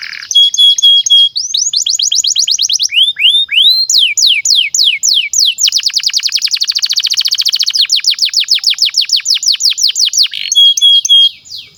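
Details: Domestic canary singing as a tutor for young canaries: varied high whistled sweeps, rising slurred notes, and long fast rolling trills of rapidly repeated notes, loud and continuous throughout.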